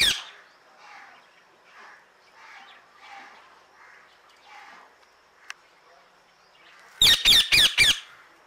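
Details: An Indian ringneck (rose-ringed) parakeet, happy to be outside its cage and calling to other birds, gives soft low murmurs and one sharp click, then four loud, harsh screeching squawks in quick succession near the end.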